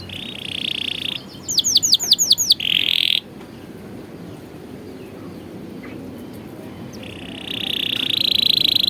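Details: Canary training song for young birds. A short burst of curved, rising whistled notes sits between brief buzzy trills, set against long stretches of low background hiss and noise.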